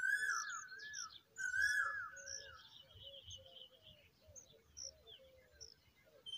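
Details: Familiar chat adults feeding hungry chicks; loud descending whistled notes alternate with thin, very high chirps, while softer calls from other birds repeat steadily in the background.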